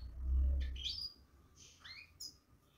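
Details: European goldfinch kept in a cage, babbling: a heavy low thump at the start, then a few high, sliding whistled chirps and short twitters.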